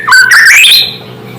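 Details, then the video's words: White-rumped shama song used to provoke other shamas into agitation: one clear whistled phrase sweeping upward in steps over under a second, then fading, over a steady low electrical hum. "Suara asli murai membuat murai lain langsung emosi"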